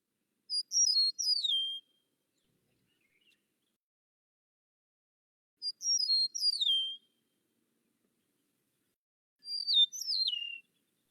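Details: Eastern Meadowlark, perched in the open in summer at Kankakee Sands, Newton County, Indiana, sings clear, sweet 'see-you see-here' slurred whistles falling in pitch, about a second long, repeated three times with long pauses.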